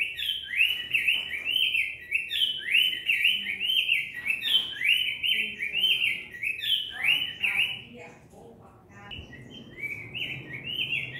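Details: Cinnamon tanager singing a lot: rapid, loud, warbling runs of rising and falling slurred notes, broken by a short quieter gap before the song resumes.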